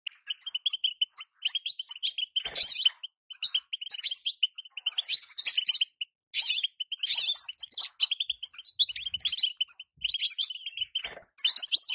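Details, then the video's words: Female European goldfinch call, played to prompt a moulting male to sing. Bright clipped chirps are repeated steadily near one pitch. Bursts of higher, jangling twitter are laid over them, with short pauses between the runs. "بتبته انثى لتسريع الغناء عند الحسون وهو في غيار الريش"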